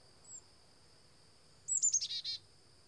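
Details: A black-capped chickadee visiting a feeder gives one short burst of quick, rough, buzzy notes, with a faint thin note beforehand and a steady high insect drone throughout.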